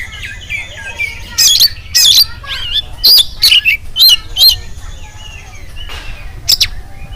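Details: Morning song of an oriental magpie-robin, played to get other magpie-robins singing: sliding whistled notes, then a quick series of loud, rough, scratchy bursts about twice a second, a pause of soft warbles, and one final harsh note.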